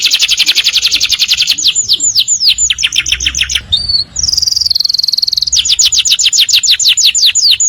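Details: Morning canaries singing: a fast high trill merging into looping slurred whistles, a short pure steady tone, then another run of quick arched notes.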